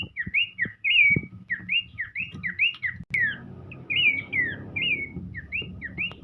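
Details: Horsfield's babbler singing lively while dancing: a fast run of clear whistled notes, each slurring down then up, in short repeated phrases, with faint low rumbling and a single sharp knock midway.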